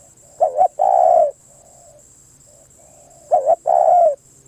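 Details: Spotted dove song phrase given twice about three seconds apart, each a bumpy double coo then a drawn-out crooning note. Quiet softer coos fall between the phrases, with a faint steady high hum.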